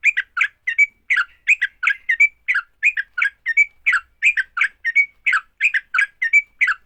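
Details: Sooty-headed bulbul giving fighting song to make other bulbuls call, a rhythmic string of paired, bubbly chirps punctuated every second or so by a short bright whistle, continuous throughout.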